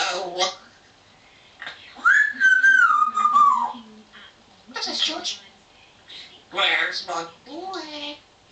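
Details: Pet African grey parrot chatting indoors in 2009: speech-like syllables, then a long whistled note sliding slowly downward, more chattering bursts, and a person repeatedly asking "where's my boy".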